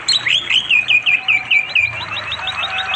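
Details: Orange-headed thrush singing to call a female in East Java forest beside a river, afternoon; a fast rolling string of about a dozen bright, repeated whistled notes, fading toward the end over water sound.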